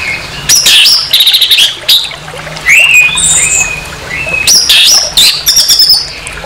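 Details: Rough orange-headed thrush song played to provoke another orange-headed thrush: loud scratchy bursts and rasping notes mixed with high slurred whistles, in several phrases about one to two seconds long, low hum behind.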